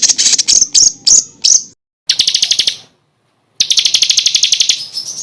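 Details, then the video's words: Masteran tutoring recording of a songbird with varied 'isian' material. It starts with loud, slurred high notes, then gives rapid rattling trills in short bursts, separated by abrupt silent gaps. "BURUNG FULL ISIAN TEMBAKAN Untuk Masteran Murai batu ,Cucak ijo ,Kacer"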